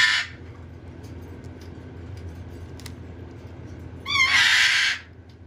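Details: A baby red-sided eclectus being hand-fed gives a brief raspy squawk, then after a quiet pause a louder, harsh, grating begging screech lasting about a second.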